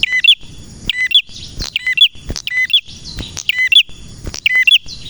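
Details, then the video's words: Energetic singing from a male prenjak: loud high chirps with lower trailing notes, repeated about once a second, interspersed with short breathy higher twitters. "Prenjak Merah Gacor cocok untuk masteran dan pancingan prenjak bahan ‼️prenjak birds singing ‼️"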